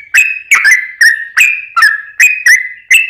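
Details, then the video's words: Yellow-vented bulbul delivering prolific 'ropel panjang' song meant to provoke other bulbuls into singing; bright, bubbly whistled notes with sharp starts, repeated roughly every third of a second. "trucukan gacor ROPEL PANJANG buat pancingan trucukan agar bunyi"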